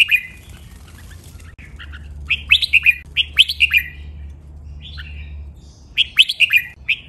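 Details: Red-whiskered bulbul training song with doubled phrases, clear melodious style: bright warbled phrases of rapid rising and falling notes in bursts, a pause, then more phrases; faint low hum underneath.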